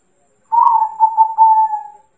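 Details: One cooing phrase of a local zebra dove, used as masteran to draw replies from other doves: a burred start followed by several quick pulses and a long, even, fading whistled note, in quiet surroundings.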